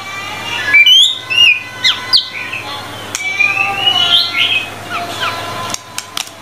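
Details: Varied whistled song of a White-rumped shama, with sharp upswept notes, a warbling middle passage and scattered clicks, the phrases separated by brief pauses.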